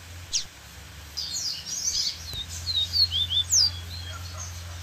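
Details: Double-collared seedeater, varied song recording with waterfall background. After a high chip and soft twittering, a neat phrase of quick descending whistled notes ends on a sharp rising squeak, with a steady low hum underneath.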